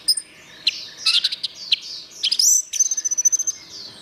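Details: Gacor orange-headed thrush used as a tutor recording for songbirds: scattered sharp chips, then a long thin level whistle and a fast run of short repeated notes at the end, with faint high twittering behind.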